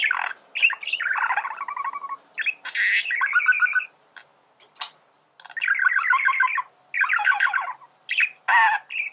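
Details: Male budgerigar song for training birds to sing: a string of buzzy, harmonic warbled phrases and clicks, broken by short pauses, with occasional sharp high notes.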